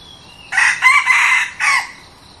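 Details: A newly tried decoy red junglefowl cock, used for luring wild junglefowl in Thailand, gives a single short, husky crow of three or four quick broken phrases, lasting just over a second and ending abruptly.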